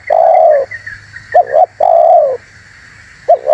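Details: Spotted dove calling vigorously on a lure recording for attracting birds: a long, mellow, falling coo, then a short double hoot leading into another drawn-out coo, with a constant faint high hiss behind.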